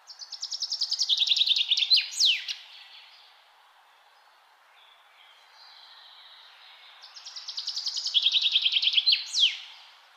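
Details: Repeated birdsong in nature: a brisk, descending run of bright notes capped by a falling flourish. Roughly four seconds of faint ambience follow before the same phrase returns.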